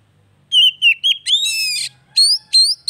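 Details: Oriental magpie-robin song for coaxing a bird that has gone quiet: falling whistled notes lead into a long rasping buzz, followed by two upswept whistles over a faint low hum.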